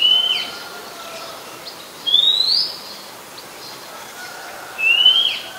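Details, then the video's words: Oriental magpie-robin, a very common resident, singing in Ubon Ratchathani, Thailand, on 17 July 2021: clear whistled notes, rising or level, repeated about every two to three seconds, with faint background calls from other birds. "นกกางเขนบ้าน Oriental Magpie Robin (singing)"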